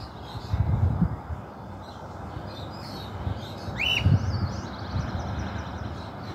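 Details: Escaped cockatiel flying free, found on a house rooftop in a region where the species is not normally seen; one loud rising-then-falling whistled call near the middle, over low rumbling traffic-like background noise.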